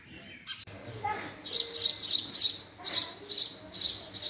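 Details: House sparrow calling: after a sharp click near the start, about ten bright, high chirps come in quick, uneven succession, each short and clipped, over a quiet background.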